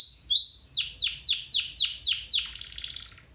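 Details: Singing domestic canary, training for a canary: a couple of rising whistled notes followed by six strong downward-sweeping notes in quick succession and a closing buzzy trill.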